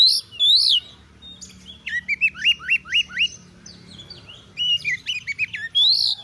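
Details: Caged oriental magpie-robin singing gacor as training material for fighter birds: a bright rising whistle, a fast rhythmic burst of about seven hooked whistles, more chatter, and a low steady hum beneath.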